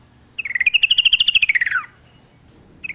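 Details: Yellow-vented bulbul singing vigorously in the wild-forest style, with natural surroundings: one fast rattling trill of about twenty notes that rises, holds, then drops away, followed by the start of another phrase.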